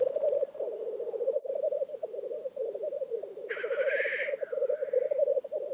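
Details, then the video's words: Black grouse at a lek in Vinje, Telemark, Norway: an unbroken low bubbling, cooing chorus runs through the whole stretch, broken once by a harsh hissing sneeze-like call with a softer trailing note after it. "ORRELEIK I VINJE"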